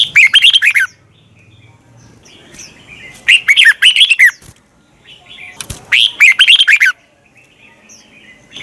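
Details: Red-whiskered bulbul singing a morning fighting song in the twisted-voice style, used as a lure to push other bulbuls to sing: three loud, rich warbled bursts about a second long, spaced roughly three seconds apart, with quiet gaps between.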